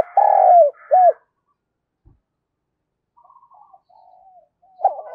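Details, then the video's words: Spotted dove kept as a decoy, calling to attract wild birds: a long low coo followed by a short arched one, a quiet stretch with soft distant notes, then cooing resumes. "Tiếng Chim Cu Mồi Thúc Và Gáy Gọi Bổi Mới"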